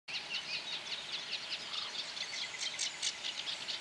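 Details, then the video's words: A Eurasian reed warbler (Acrocephalus scirpaceus) sings a steady, chattering stream of scratchy, repeated notes, with faint insect buzzing in the background. "Rákosník obecný (Acrocephalus scirpaceus)"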